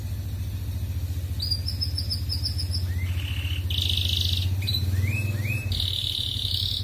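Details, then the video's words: Red canary singing in the chattering 'gacor ngerek' style, played as a master song to raise breeding desire in female canaries: quick high trills, bright sustained whistles and short rising sweeps, over a steady low mechanical hum. "Bunyi Kenari Pancingan Untuk Burung Ombyokan"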